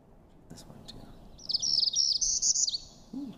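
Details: Northern Parula giving its more often heard song, a high, buzzy run of rapid notes likened to a zipper zipping up, lasting about a second and a half, with faint speech; possibly the most common local breeding warbler.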